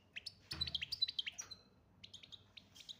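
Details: Chardonneret major goldfinch from Algeria giving a quick run of evenly spaced sharp tinkling notes, then softer scattered twitters after a short gap.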